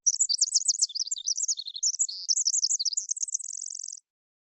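A wren sings a fast, high, tumbling run of bright notes that ends in a dry, even trill.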